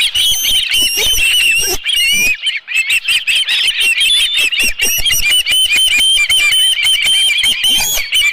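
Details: Osprey with a live fish at a nest at Dunrovin Ranch, midday 11 July 2018: steady, excited high whistled chirping, notes slurred and repeated in quick succession, with one short break early on.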